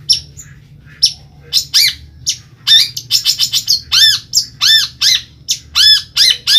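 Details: Caged long-tailed shrike from Ampelgading, Pemalang, Central Java, Indonesia, singing loud, rapid arched whistled notes, each sweeping up and down, repeated in a steady run after a few sharp opening chips.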